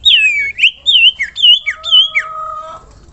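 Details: Common iora (sirtu) in full song for training cagebirds: a rapid series of loud looping whistled phrases, about two each second, ending in a long level tone.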